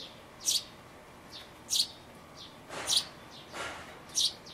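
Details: Sparrow nestlings close to fledging inside a birdhouse, recorded 12 May 2012 on an Everio camcorder: short high thin chirps, singly or in quick pairs, roughly every second or so over a steady background hiss.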